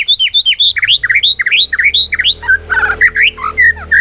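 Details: White-rumped shama singing in a contest in afternoon sun, showing its bobbing display: a rapid run of loud rising and falling whistled notes, some slurred, a few harsher squeaky notes near the end, with a faint low hum.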